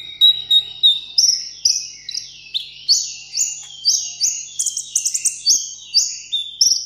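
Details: Caged sunbird singing in a solo contest: a series of clear, slightly descending high whistled notes, roughly two per second, some rising higher near the end, with a faint low hum behind.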